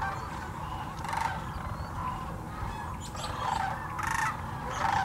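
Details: Sandhill cranes in their thousands at the Hiwassee Wildlife Refuge, Birchwood, Tennessee, where they migrate each year; rolling, trumpeting calls rise in irregular bursts from the flock over a steady background hum.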